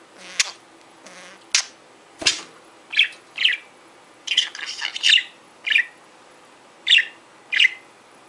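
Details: A talking pet budgerigar, a male, chatters in squeaky, raspy bursts of speech-like syllables, about a dozen short phrases at an uneven pace, high and scratchy in tone.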